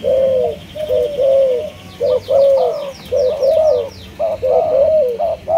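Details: Malaysian spotted dove delivers a loud, rhythmic run of mellow coos, each phrase a rising then level note repeated roughly once a second, while a smaller bird adds rapid high twittering overhead.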